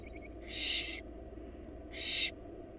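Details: Wild barn owl chicks in a Florida nest box, being fed by their mother, give two harsh, hissing screeches, each about half a second long, separated by a pause over a steady low background hum.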